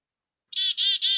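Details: Black-capped Chickadee in Montana giving its chick-a-dee call: three harsh, buzzy 'dee' notes in quick succession, each about a fifth of a second long, after a moment of silence.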